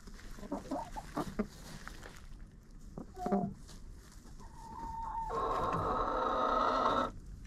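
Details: Chickens inside a friend's coop, recorded by an action camera placed in the coop: scattered low clucks and shuffling early, then a loud, sustained, harsh squawking call lasting about two seconds before falling silent.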